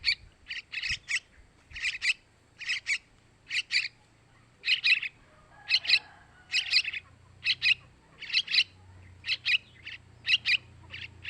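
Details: Begging calls of young yellow-vented bulbuls, played to attract male birds: short bursts of two to four high, clipped chirps repeated steadily over eleven seconds, with a low hum faintly underneath.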